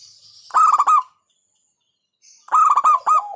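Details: Two rapid rolling coo phrases from a local zebra dove, each a tight run of four or five throaty pulses, separated by a short silence, with faint high chirps.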